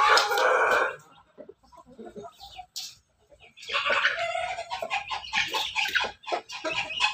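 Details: Crossbred Pelung–Bangkok chicken in a backyard: a loud harmonic crow opens the recording, fading into quiet clucks, followed by a busy, rough stretch of choppy crowing and clucking.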